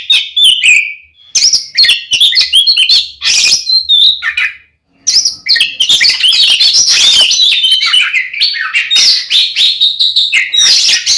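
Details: Oriental magpie-robin, a 'gacor ngeplong' fighting song used as a lure to provoke another male into anger; loud, dense run of varied whistles, chirps and rapid trills, high-pitched and nearly continuous, with one short pause near five seconds.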